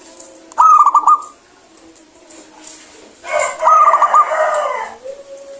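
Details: Zebra dove of a local strain singing briskly in a clear tone, meant to encourage lazy singers. Two fast rolling coo phrases, the second overlapped by a rough noisy burst, ending with a soft steady tone.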